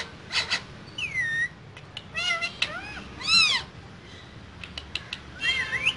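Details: Pair of caged green parrots calling: scattered harsh notes and arched, wavering squawks, a louder ringing cry near the middle, with faint room noise between calls.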